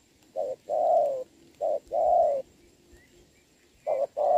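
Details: Spotted dove cooing in the rain during a trapping contest with a decoy bird, 26 November 2022; low mellow coos in short-then-long pairs, three pairs with pauses between, no other clear sounds.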